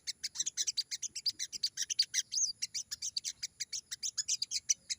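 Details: Crimson sunbird, a very active singer in the wild 'ngalas' song style. It gives fast, high-pitched chattering notes in a steady stream, with a short looping whistle about halfway through.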